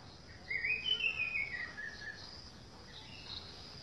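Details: Orange-headed thrush singing in a garden: a single sweet whistled phrase, rising then sliding gently downward over about a second and a half, followed by faint high notes amid steady background hiss.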